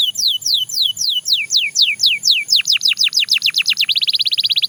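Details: Belgian canary gives about a dozen falling slurred whistles that speed up steadily and merge into a rapid, high trill.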